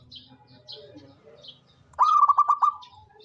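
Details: Single cooing phrase from a local zebra dove kept as an active, frequent singer: a sharp rising onset followed by five or six rapid, evenly pitched pulsed notes, with faint soft chirps before it.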